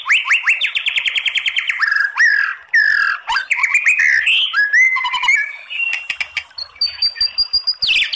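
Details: White-rumped shama (murai batu) song in the 'kretekan' style with long 'tembakan' bursts, used to provoke other birds into singing: a fast run of repeated rising notes, then varied whistled slurs, buzzy trills and high, clear tones.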